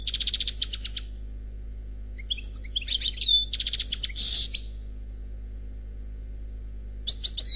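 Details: European goldfinch, an unmated bird, delivering Khalwi song in bursts: a fast tinkling trill, a pause, then chattering notes and a harsh buzzy rattle, silence, and a final sharp twittering phrase.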